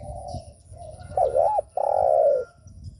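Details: Provocation cooing of a spotted dove: soft lead-in murmurs, then a wavering double-dipped coo and a long, even, hollow coo, with a light low rumble underneath.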